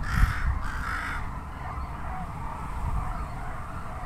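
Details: Rooks in a flock near the Izumi observation centre farmland, Japan, give a quick burst of hoarse, grating caws, then fainter cawing continues over a steady low rumble of wind.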